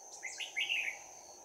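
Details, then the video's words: Trapped decoy Red-whiskered bulbul with a 'bell voice', recorded 11 January 2019 in close-quarters fighting song: one brief burst of rising and falling warbled notes over a steady high whine and soft hiss. "Bẫy chào mào Giọng chuông đấu giáp lá cà"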